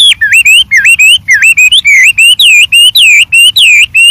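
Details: White-rumped shama singing in the wild with many variations: a fast run of loud, clear whistled notes, each curving up and down, about two per second, with no other sounds.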